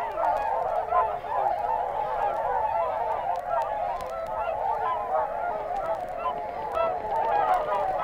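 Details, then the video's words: Flock of Whooper Swans calling at Matsalu, from a 1979 field-recording LP: a steady, thick chorus of nasal, trumpeting honks overlapping continuously, many birds calling at once with no pauses. "Whooper Swan"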